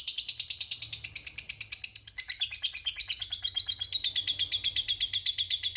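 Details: Long ngekek from a lovebird, played as a lure so rival lovebirds answer back. Rapid, even run of high, harsh chirps that shifts slightly in tone midway, with a faint low hum underneath.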